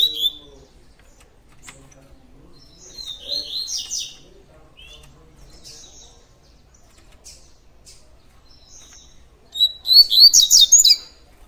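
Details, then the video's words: Double-collared seedeater in tui tui song: scattered high chirps and short whistled phrases across long quiet gaps. It ends in a loud, rapid volley of sharp, bright, repeated notes. "COLEIRO TUI TUI DIAMANTE"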